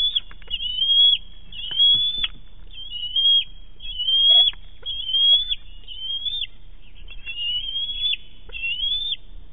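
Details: Juvenile bald eagle on a nest near Big Bear, 7 May 2018, excitedly squealing around a fish delivered by its mother. Around eight short, piercing, slightly rising squeals follow each other in an uneven series.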